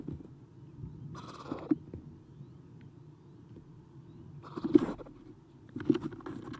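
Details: Nest-box Eastern screech owl owlets, three young seen on 30 April 2016 around 9:54 in the morning after an adult departs; a couple of short raspy hisses, the second louder, with soft knocks and scratching in the box.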